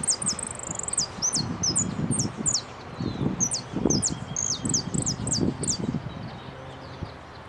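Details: Saffron finch singing in a competition, second place in the repique category at Nuevo Irupé, dated 15 01 12: rapid series of very high, thin, sharply slurred notes with a few drawn-out trills, over low rumbling and rustling background noise.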